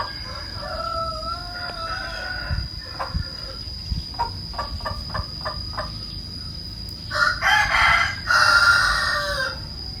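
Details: Hen cackling, beginning with drawn-out wavering notes, then a run of short clucks at a steady pace, ending in loud harsh squawks, with a constant high electronic tone in the background.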